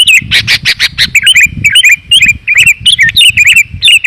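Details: Sooty-headed bulbul (kutilang) lure call, meant to draw wild bulbuls down: dense, fast run of bubbly, slurred chirps repeated with little pause, over low thumping rumbles.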